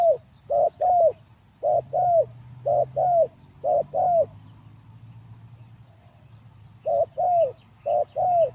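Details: Spotted dove kept as a decoy for luring wild birds, recently moved from its breeding cage, gives steady paired low coos, clipped note plus longer sliding note, five pairs, a pause, then two more.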